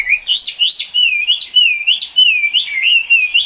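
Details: Chinese hwamei singing in the rain, a flowing series of looping whistles that swoop up and down, linked almost without break.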